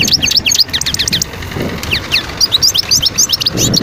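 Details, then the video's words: Wild European goldfinch, Skikda region of Algeria (Guerbaz), 2022: bursts of rapid high chirping notes, a brief lull in the middle, then more quick twittered phrases. "صوت الحسون البري(سكيكدة ڨرباز)twitter chardonneret"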